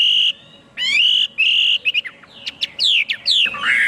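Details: Chinese hwamei song: long bright whistled notes held steady, then a burst of rapid varied slurs and sharp sweeping notes, ending in a richer rising-falling phrase; a low steady hum in the background.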